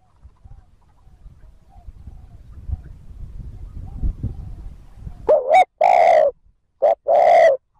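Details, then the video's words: Spotted dove 'thúc gù' cooing meant to attract wild doves. Several seconds of low rumbling noise come first, then a wavering note, a long deep coo, and a short note followed by another long coo. "TIẾNG CHIM CU GÁY THÚC GÙ KÍCH BỔI NHANH NỔI CỰC SUNG, MỒI NGHE LÀ GÁY"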